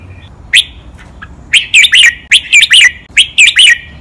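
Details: Red-whiskered bulbul kept in a cage, giving training song in the doubled, counted-note lak wai master pattern. A single chirp is followed by rapid, loud, liquid warbled phrases with rising and falling notes, delivered in quick succession.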